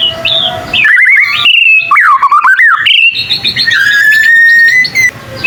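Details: Young white-rumped shama song: varied whistled slurs and a wavering warble, then a long, steady, drawn-out whistle with faint high chips in the background.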